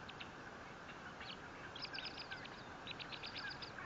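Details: Nest-camera recording of a bald eagle at the Fort St. Vrain nest, 18 April 2024: a few scattered high notes, then a fast string of sharp, repeated chattering pips building toward the end, against constant hiss.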